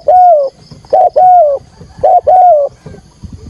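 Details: Decoy spotted dove calling to draw wild doves into a trap, giving two loud phrases of a short note then a drawn-out, warm, falling coo, followed by quiet.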